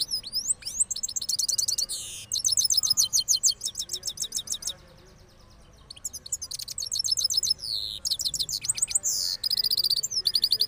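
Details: Cross goldfinch, a caged bird from Parachinar after moulting, giving a rolling song: rapid high trills and buzzy repeated notes in fast runs, with a brief pause midway, then more rattling phrases and sharp slurred whistles.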